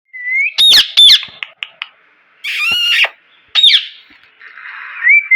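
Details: Loud parrot calling: harsh, raspy squawks mixed with short clear whistled notes and bent, rising tones, coming in uneven bursts with brief quiet gaps.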